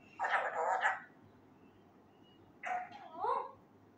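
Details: A young male Alexandrine parakeet (Psittacula eupatria) trying to learn words speaks two short, loud, hoarse Urdu-like phrases in a human-like voice, each about a second long, with a pause between them.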